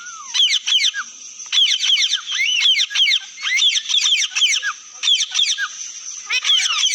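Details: A parrot chattering in quick bursts of squeaky, sharply rising and falling notes with short pauses between groups, over a steady high-pitched hum.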